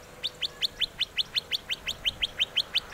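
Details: Western rock nuthatch calling in İzmir, Türkiye, in May 2023: a fast, steady run of about fifteen loud, upslurred, piping notes, roughly five per second, with no other clear sounds.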